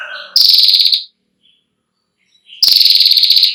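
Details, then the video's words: Long trill of a female Ashy prinia, used to teach young birds: two rattling, rapidly ticking high bursts, each nearly a second long, separated by a short quiet gap with a faint note. "Prenjak Klawu Betina NGETIIR panjang"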